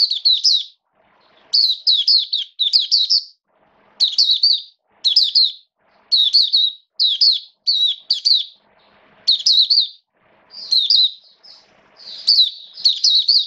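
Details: On 29 September 2022, an Oriental white-eye (mata puteh) opening into song gives high, thin twittering phrases of rapid jumbled notes in bursts every second or so, with faint lower chirps in the background.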